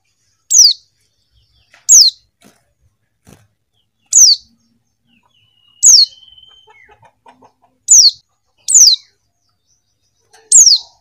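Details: Female Buxton's white-eye repeatedly calling the male, a series of seven sharp, high, descending notes at irregular one- to two-second intervals, with a faint drawn whistle and soft ticking sounds midway.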